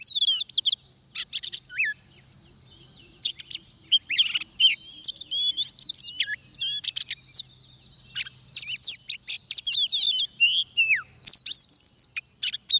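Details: Trapping setting with an oriental magpie-robin in full song: fast bursts of high chirps, whistles and upswept notes, broken by a brief lull of about a second, then resuming in dense, energetic phrases.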